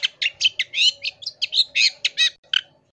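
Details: Long-tailed shrike in full tembakan style, a master recording for tutoring other songbirds. Rapid string of scratchy, buzzy notes mixed with short whistles, about four per second, with a faint low hum behind.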